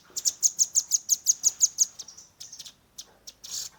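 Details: Velvet-fronted nuthatch juvenile's 'tembakan' shooting song, phone-recorded: a loud, regular train of about ten piercing high chips, trailing into softer scattered notes and a hiss.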